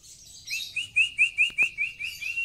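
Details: Dagbal kintamani mountain white-eye repeating a clear rising chirped note roughly five times a second, eight or nine in a row, over soft high chatter, with a couple of sharp clicks.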